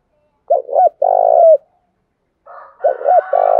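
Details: Spotted dove used as a decoy to provoke wild birds: a doubled hoot and long rolling coo, a pause, then a softer rough lead-in and the same low phrase repeated.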